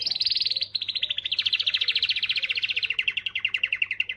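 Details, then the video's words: One long, unbroken canary trill of roughly fifty rapid notes, slowly sliding downward in pitch over four seconds, sung to motivate females; a faint low hum and soft background murmur lie beneath. "تغريدة قوية من الكناري لتحفيز .. The strongest tweet from the canary to motivate"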